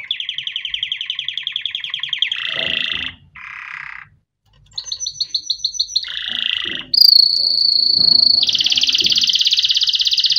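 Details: Canary song used for training chicks: fast, even trills around mid-high pitch, then a buzzy rattling burst, a brief pause, rolling repeated notes, and finally a long pure whistle leading into a loud sustained trill.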